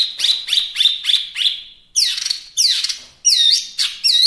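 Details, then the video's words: Chinese hwamei in full song: five loud, ringing notes repeated about every third of a second with echoing tails, then a pause and several varied phrases, including two descending slurred whistles and looping clear whistled notes. "Suara Asli Wambi Mini/Hwamei Gacor"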